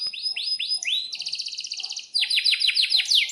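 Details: Canary in full song, offered as a lure and tutor for young canaries learning to sing: rapid rising whistled notes in quick series, then a dense buzzy trill and a sharp burst of fast descending chirps.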